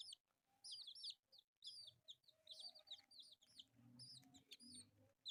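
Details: Four colourful pet chicks playing give a constant stream of high, thin peeps, each a short downward slur, overlapping rapidly, with a soft low hum beneath.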